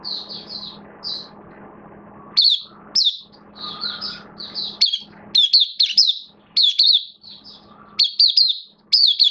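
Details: Oriental white-eye (mata puteh) kept as a hobby bird, in open 'buka' singing with its form slightly dipped, dated 11 September 2022: high, slurred chirping notes in quick runs and clusters, with a steady low hum behind.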